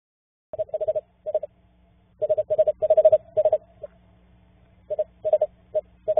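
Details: Female screech owl in an owl box, seemingly getting ready to nest, gives short, mid-pitched purring trills in quick bursts, pausing briefly between runs, over a faint low hum; her mate outside the box responds.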